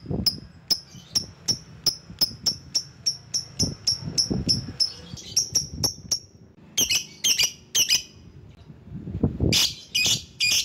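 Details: Lovebird sound used to call rivals: a long, steady series of sharp, high ticking chips, about two per second, followed by a few harsh shrieks and brief low thumps.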